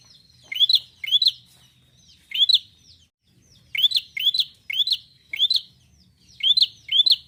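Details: Persistent Bar-winged prinia song: pairs and triplets of quickly rising whistled notes with sharp clicks, a brief silent gap midway, over a faint low hum.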